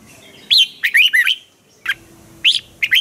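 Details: Caged red-whiskered bulbul from Thailand singing a lively, sharp training song: short bursts of clear warbled notes sweeping between mid and high pitch, three phrases separated by brief pauses, on a quiet background.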